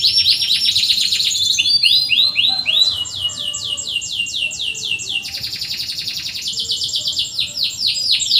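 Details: Canary (kenari) singing in a recording meant to train canaries that rarely sing: fast high-pitched trills, then rows of sweeping repeated chirps at about two per second, with sharp pitch changes between phrases.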